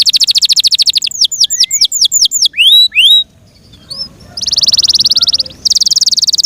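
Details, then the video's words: Yorkshire canary in full song: a fast rattling trill, a run of down-slurred whistles, two rising notes, a short pause, then a long dense buzzing trill broken by a brief gap. "THE BEAUTIFUL SOUND OF FI YORKSHIRE CANARIES THAT MAKES OUR HEARTS SO HAPPY"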